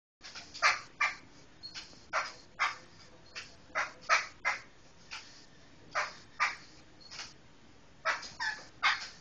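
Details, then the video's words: Black laughingthrush of the Medan type, giving loud, harsh, broadband bursts in irregular runs, about two to three per second with short gaps, each note rough and chattering rather than whistled; little else audible. "Suara Kicau Burung Poksai Hitam Medan"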